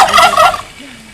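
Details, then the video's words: Courting turkey giving a short, loud burst of rattling gobble, about half a second of rapid warbling notes that cut off abruptly, followed by a quiet low voice. "Lustige Truthahnrufe | Funny turkey sounds"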